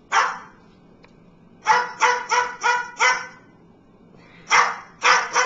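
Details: Pet cockatoo barking like a dog while praised as a good watchdog: harsh, raspy bark-like calls, a single one then a burst of four in quick succession and a final pair, with short gaps between.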